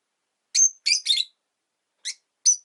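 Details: Caged rosy-faced lovebirds kept indoors near a window, five birds in all, utter loud shrill chirps, a few quick notes in a cluster followed by a gap and two more single chirps.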